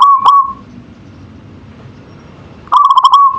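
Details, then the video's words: A local zebra dove sings manggung. One phrase ends in a sustained note, then after a two-second pause a fresh burst of fast stuttering coos rolls in, clear against faint background rumble. "Suara Perkutut Lokal Manggung"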